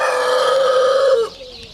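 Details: End of a rooster's loud, steady crow, held just over a second before cutting off, leaving faint background noise.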